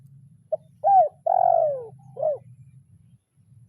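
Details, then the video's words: Spotted dove used as a lure bird, cooing at a rival in the 'kuk 0-1' pattern: short note, bowed coo, drawn-out falling coo, short coo, then a soft note starting again over a light hum. "Suara Tekukur Memanggil Lawan"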